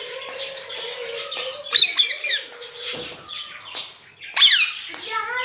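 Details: Pet rose-ringed parakeet that talks, uttering "Mian Mitthu Chori Khani Ha": here mostly shrill chirps and harsh, harmonic squawks over a steady low hum, with two louder bursts.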